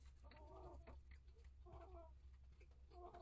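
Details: Backyard flock of hens and chicks in a coop: three drawn-out harmonic clucking calls spaced about a second apart, over loud low hum.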